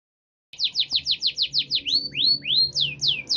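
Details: Canary singing after its moult, with fresh new plumage, in a luxurious singing style. Starts after a short silence. A fast series of high, downward-sweeping notes repeats about three times a second, then changes to rising, swooping whistles.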